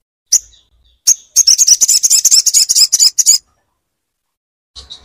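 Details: Crimson sunbird, known locally as sogon, song played as training and therapy to make a silent caged bird start singing: two sharp high chips, then a rapid, dense high-pitched twittering trill lasting about two seconds, then a faint note.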